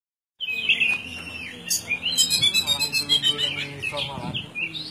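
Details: Oriental magpie-robin (kacer) singing in full, lively 'gacor' style: varied whistled and scratchy phrases around mid-high pitch, with a fast run of repeated notes in the middle and some faint voice-like background.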